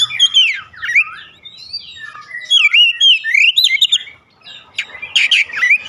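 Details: Oriental magpie-robin song played as a daily lure to spur singing: looping, sliding whistles and rapid twittering run together, ending in harsher buzzy notes, with faint low background rumble.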